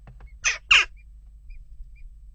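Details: Western jackdaws at a nest box during ongoing unrest: two harsh, clipped 'tchak' calls in quick succession, the second louder, followed by quiet with faint low hum.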